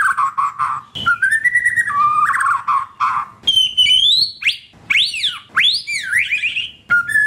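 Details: A white-rumped shama, a prized bird with a loud, lively song, used as a song lure to get a shama that has stopped singing going: rich, fast medley of loud clear whistles, slurred rising and falling notes and chattery bursts.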